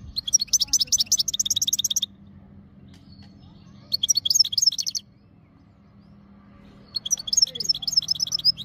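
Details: European goldfinch in breeding condition, ready to mate, recorded in Jijel, Algeria, in 2025, singing three bursts of rapid, high twittering notes about two seconds long, split by quiet pauses.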